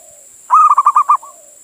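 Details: Local male zebra dove from Indonesia calling a female, used as a lure: a quiet low coo, then a loud burst of five rapid rolling coos, fading into soft trailing notes over steady high hiss.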